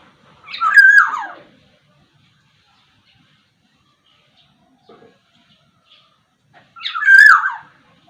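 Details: Black-naped oriole (Sumbawa kepodang) giving two harsh, nasal, downslurred calls about six seconds apart, with near silence between them.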